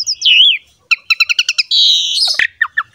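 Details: Captive Asian pied starling, used as a master recording to make quiet birds sing: a wavering whistle, a burst of rapid chips, a buzzy stretch, then a few spaced sharp notes.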